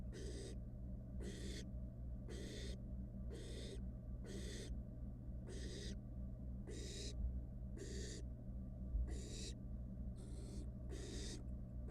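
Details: Nestling barn owl, wild, in a nest box while toying with its food, gives eleven rasping, noisy hisses in a row, each short and breathy, repeating about once a second, with a constant low electrical hum beneath.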